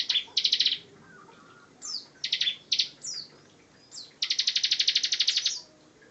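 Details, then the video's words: Bar-winged prinia, a master bird, sings ngebren fashion: short pulsed bursts and falling whistles, then a sustained rapid trill of some fifteen high, evenly spaced pulses. "Ciblek Gacor Ngebren"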